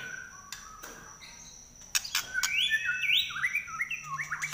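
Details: White-rumped shama, a kept songbird singing in trek style with a shrill nyelit voice: a quiet start, then loud high whistled phrases sliding up and down, rapid and varied, with a faint steady high tone behind.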